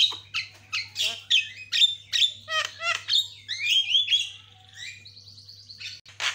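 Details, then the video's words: Caged white-rumped shama singing energetically for bird training, loud varied phrases of sharp notes and slurred whistles, then a softer fast trill near the end, low electrical hum throughout. "YANG MACET LANGSUNG CEREWET, JALBO GACOR"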